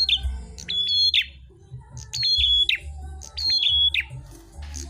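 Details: Red-headed prinia, also called prenjak klawu, singing vigorously during a fight with another bird. Clear whistled notes: a steady high tone ending in a quick downward slur, repeated about every second, with faint low hum beneath.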